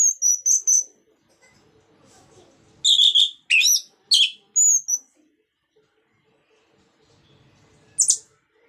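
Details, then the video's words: Song of an orange-headed thrush in the ngeplong style, used to trigger singing in other birds: a quick triple of high notes, a pause, then a cluster of loud varied notes and one last sharp note. "Pancingan Burung Anis merah Agar Cpt Ngeplong Gacor bunyi"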